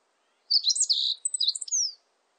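A meadow bunting sings one quick, high jumble of thin chirps and sweet trills, about a second and a half long, ending in a falling buzzy note.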